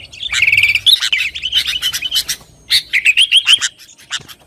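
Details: Sooty-headed bulbul calling busily as a lure for kept and rival birds: a buzzy, rattling phrase, a pause of scattered chips, then a second quick trilled series before fading into quiet.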